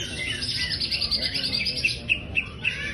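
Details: Champion greater green leafbird from Indonesia's songbird hobby in intense song: a rapid run of high chirps, then loud, ringing separate notes spaced about a quarter-second apart.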